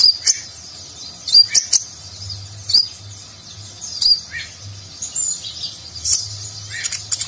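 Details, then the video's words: Sunbird known as kolibri ninja singing richly filled nagen-style phrases for contest-bird training; sharp high notes with some lower buzzy slurs, spaced irregularly over several seconds. "Konin Gacor Isian Mewah Gaya Nagen, Cocok Untuk Masteran Burung Lomba"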